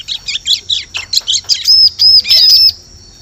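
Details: Bar-winged prinia lure call for attracting birds in forest: rapid chattering high notes, then a run of loud arched whistled notes repeated about every third of a second.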